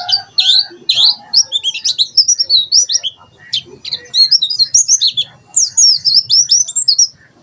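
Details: Mountain white-eye giving 'tembakan sejalur' song, meant for teaching captive birds a wild-style song: a continuous, rapid run of high-pitched twittering notes and sharp slurred chirps, busy and unbroken for several seconds.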